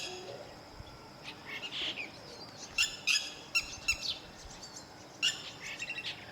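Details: Lapwing, one of a pair guarding their chicks until they can fly, giving sharp, high, harmonic call notes in short clusters, mostly around the third to fourth second with one more near the end, over a faint hissing outdoor background.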